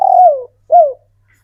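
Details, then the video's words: Male spotted dove kept in captivity, calling females: a long trilled coo sliding downward, then a shorter falling coo. "Burung tekukur J4NTAN lokal manggung rapat spesialis untuk memanggil betina"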